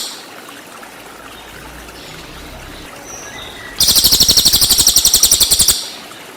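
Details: Cililin song used as training material for white-rumped shama: after quiet background, a loud, harsh, buzzy high trill of rapid pulses about ten per second lasting about two seconds, then stopping abruptly.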